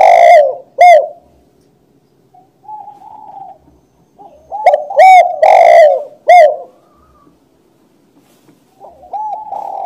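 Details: Spotted dove cooing loudly and close by. Mellow, hollow coos come in short groups of two or three notes, separated by quieter, softer coos and brief silences.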